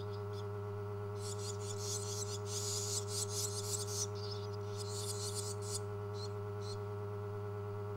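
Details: Rescued, hand-reared barn swallow chicks (siblings) give bursts of harsh, high, hissing begging calls in bouts over several seconds, over a loud steady electrical hum; fed flies, bees, wasps and curd by day, moths and lacewings by night.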